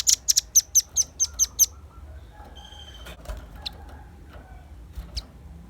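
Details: Lively velvet-fronted nuthatch, used as a lure and a tutor recording for songbirds, gives eight piercing, high chips in a rapid run, then falls quiet apart from faint distant twitters.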